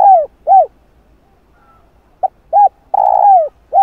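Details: Spotted dove cooing in a lure-style sequence of calling, urging and soft coos: low hollow arched coos, a brief clipped note, then a longer drawn-out coo falling at the end, with short pauses between; clean, quiet background.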